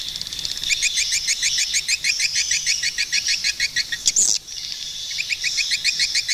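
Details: Swiftlet giving fast, high twittering chirps in a steady run of about three per second, broken briefly near the end by a short rushing burst before the chirping resumes.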